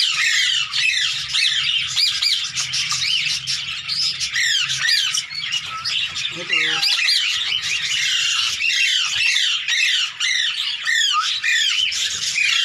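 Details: Hand-tame Indian green ringneck parakeet playing with its handler, producing a long, dense run of arched chattering squawks, many short rising-falling notes packed together over about twelve seconds, with a brief lower sound midway.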